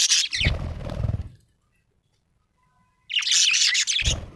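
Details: Happy budgerigar chirping: a loud, raspy chattering burst over a second long, silence, then another dense scratchy warble, with some low broadband noise alongside.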